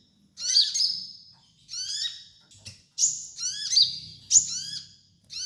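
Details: Sunbird song used as a master recording for training: sharp high chirps sliding downward, given in dense clusters separated by brief silences, with a faint low rumble underneath.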